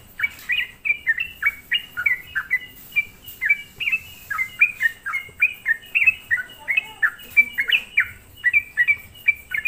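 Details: Lure song of a sooty-headed bulbul, intended to provoke rival bulbuls: dense, continuous sequence of crisp falling notes in pairs, delivered quickly and evenly for nearly ten seconds.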